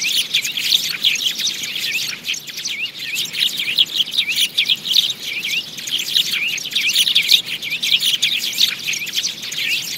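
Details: Many sparrows chattering together in a recording meant to lure birds into traps: crowded, high-pitched chirping with repeated sharp downward notes, continuous throughout and swelling in occasional louder bursts.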